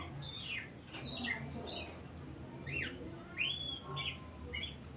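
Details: Oriental magpie-robin song, played as a decoy so that silent, stressed or lazy birds begin singing: sweeping whistled phrases that drop and rise, a bright upslurred whistle near the end, and a faint steady high tone throughout.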